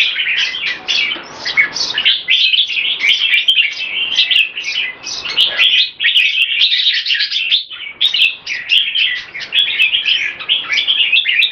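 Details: Speed action display and keke from an Olympian-class caged red-whiskered bulbul (jambul): a continuous, fast stream of sharp, chattering, whistled notes, hardly pausing over eleven seconds.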